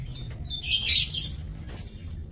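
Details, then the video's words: Lovebirds in a breeding aviary cage, 30 May 2024, burst into a loud harsh chatter of overlapping shrill squeaks, followed by a short thin high whistle, over low mechanical hum. "Aviary Lovebirds"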